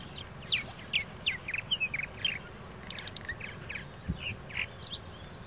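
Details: Purple martins give a run of short, scratchy, downslurred chirps and warbled notes, fairly fast and irregular, with a low hum and a brief thump beneath.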